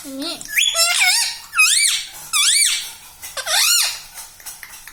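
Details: Indoor pet ringneck parrot uttering a quick series of speech-like squawks, each arching up then down in pitch, several phrases in a row within a small room.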